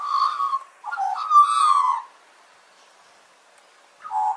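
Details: Australian magpie singing: rich, fluting warbled phrases around the mid range with bright overtones, two linked bursts in the first two seconds, a pause, then a fresh phrase starting near the end.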